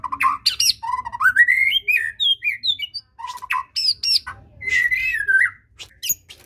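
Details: White-rumped shama song played to coax a reluctant bird into singing: varied clear whistled phrases, rising sweeps and quick slurred notes in short bursts separated by brief pauses.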